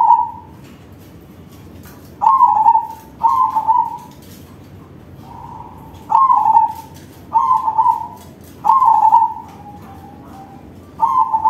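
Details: Loud-voiced crossbred zebra dove singing a long run of paired, bubbling coo phrases, each a rapid trill easing into a held note, repeated every one to two seconds with soft trailing notes between.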